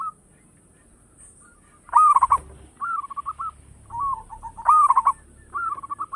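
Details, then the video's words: Actively singing local zebra dove with a big voice, used as a lure: crisp stuttered bursts of notes about every three seconds, each followed by a brief rolling coo, over quiet background. "Perkutut lokal gacor suara besar bikin gempar bunyi seteras cocok buat pancingan"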